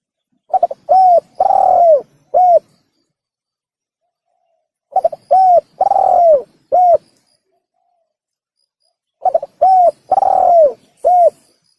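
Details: Tekukur or spotted dove cooing for use as a hunting lure: three identical phrases about four seconds apart, each a quick stutter, two arched hoots and a drawn-out downward-curving coo, then a final short hoot.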